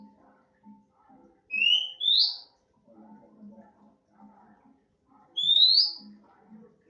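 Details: Young untrained oriental magpie-robin, now singing often, delivers two bright rising whistled phrases several seconds apart, separated by faint low murmuring sounds.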